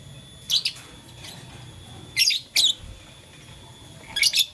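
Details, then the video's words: Lovebirds of blue, lutino and green colour playing with a flower chirp in short shrill pairs and triplets, spaced irregularly about every second, with quiet hiss between. "LoveBird Playing Flower - Chirping Sound"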